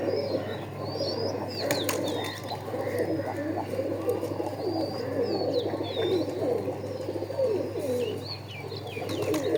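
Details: A dense chorus of pigeons keeps up rippling, low throaty coos throughout. Frequent high, thin, curling whistles from other birds and several sharp clicks mix in.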